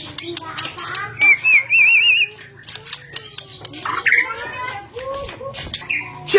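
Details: Song of a white-rumped shama played to prompt lazy shamas to sing, featuring a fast warbling trill, scattered whistles and abrupt harsh notes, with low humming underneath.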